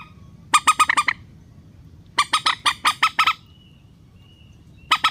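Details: Rail relaxed call used as a trapping lure: quick series of five or six harsh squawks, a gap, then a longer run of evenly spaced rasping notes, a final brief pair at the end.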